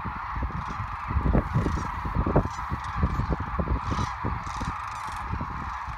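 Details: A large gathering of migrating sandhill cranes, Platte River, Nebraska, March 2017, giving a steady chorus of rattling bugles, with a few louder nearby calls around the middle and low wind rumble throughout.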